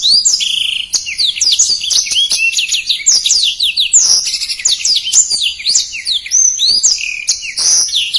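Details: Rapid, tightly packed song of a black-throated canary, presented as a master recording for training competition birds: about eight seconds of unbroken, high-pitched chattering twitters, swooping whistles and brief buzzy trills with no pauses.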